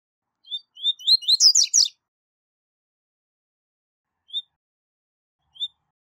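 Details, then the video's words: Double-collared seedeater giving the tui tui zel zel song used to train young birds. A phrase of whistled upslurs ends in a rapid, buzzy, sputtering flourish. Two lone short whistles follow over a silent background. "Canto Tui Tui Zel Zel De Alto Nível - Canto Ótimo Para Encarte De Coleiros e Papacapim"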